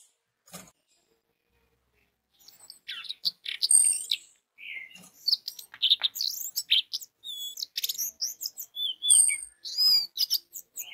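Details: Orange-headed thrush song played as a lure to get other orange-headed thrushes singing: after a quiet start, a long, lively stream of varied swooping whistles, sharp chirps and warbles with almost no pauses.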